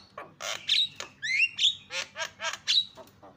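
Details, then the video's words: Javan myna calls played to get quiet mynas calling: a short string of coarse, buzzy notes with two bright upward-sliding whistles, evenly spaced pulses over a faint low hum. "PALING MANTUL SUARANYA MENGGODA JALAK CEPAT TERIAK"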